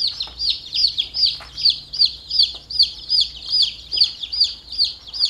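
Chicks peep rapidly, high and thin, with overlapping calls about two or three times a second.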